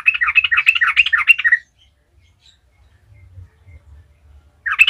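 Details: Sooty-headed bulbul singing a gacor ngalas lure song meant to make other bulbuls sing: a fast burst of bubbly, warbled notes for about a second and a half, then silence, then the chattering phrase starts again.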